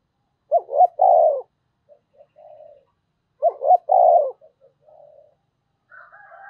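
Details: Calling decoy spotted dove gives two full coo phrases about three seconds apart, each two clipped rising hoots and a long mellow coo, followed by quiet low murmurs; a higher, harsher grating sound enters at the end.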